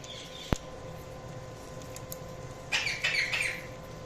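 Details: Budgerigars chirping: after a sharp click and quiet stretch, a burst of warbling, chattering chirps runs for about a second, with faint background hum.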